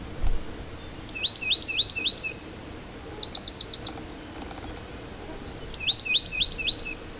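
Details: Bachman's Sparrows singing in burned pinewoods at Post Office Bay, Apalachicola National Forest, Florida, where there are hundreds: a clear, high whistle then a quick series of four or five trilled notes, given twice, with a faint rapid trill between.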